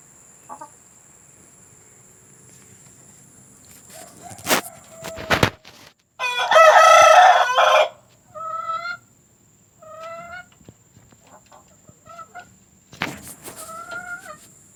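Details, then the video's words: Domestic hen sounds, recorded for playing to hens about to lay: a series of short, nasal, harmonic notes in rising bursts, one loud, harsh, drawn squawk in the middle, and more clipped notes after quiet gaps. "Suara pemikat ayam betina agar mau bertelur"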